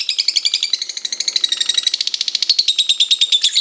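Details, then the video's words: Lovebird giving a long nonstop chattering (ngekek panjang), used as master training sound for other lovebirds; a fast stream of shrill, buzzy pulses that slides slightly lower toward the end, with no other sounds. "Masteran Lovebird 1 jam nonstop ngekek panjang kusumo"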